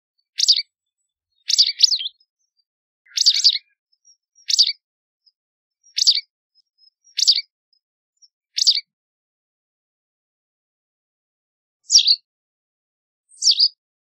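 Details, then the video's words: White wagtail calls: sharp, high, two-syllable chirps repeated about every one to one and a half seconds, then two softer ones after a longer pause. "White Wagtail Song! White Wagtail Call! White Wagtail Sound- Lavandera Blanca Canto - Motacilla Alba"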